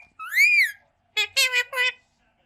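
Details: Rose-ringed parakeet talking, said to speak Urdu or Hindi: one long rising-then-falling whistle, a short pause, then three quick harmonic, voice-like syllables.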